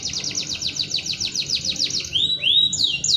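A canary sings a fast, bright trill of rapidly repeated high notes, then breaks into loud, ringing whistled phrases that sweep down and up.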